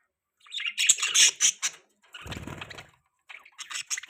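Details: Budgies chirping indoors, a cluster of bright, rapid chirps and squeaks, followed by a lower murmuring stretch and then another quick run of chirps.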